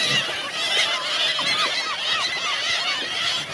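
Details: Hungry seagulls at Helløya in 2017, a crowded flock calling nonstop: overlapping nasal, arched squeals and short downslurred yelps layered over a dense, hissy chorus with no pauses.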